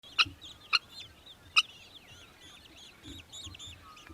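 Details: Australian hobby, or little falcon, in Victoria, Australia, December 2023: three sharp, harsh notes over the first second and a half, each stacked with bright overtones, against a busy background of small birds twittering.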